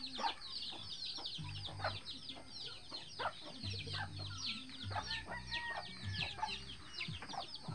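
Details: Free-range hen with eleven chicks that follow her everywhere; scattered high downward peeps and some clucks sound over a steady low droning hum.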